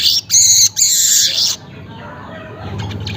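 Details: Early morning weaver, recorded about 5:40 am: two loud, metallic, buzzing sizzles in the first second and a half, then near quiet.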